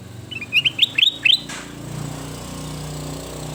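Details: Ruby-throated bulbul singing training song: several quick, sharp whistled notes in short clusters, then a steady mechanical hum in the background.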